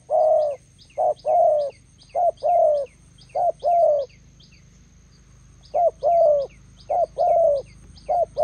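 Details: Spotted dove decoy and wild bird meeting by a road in Gia Lai, Vietnam: bursts of husky paired coos, a pause of about two seconds mid-way, then coos resume, light high chirping and low hum behind.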